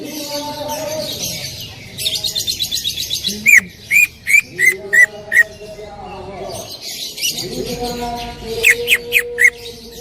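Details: Loud 'tembakan' shot-style song of a greater green leafbird: a fast chattering burst, then a run of sharp ringing whistles, more chatter, and a final short volley of high notes.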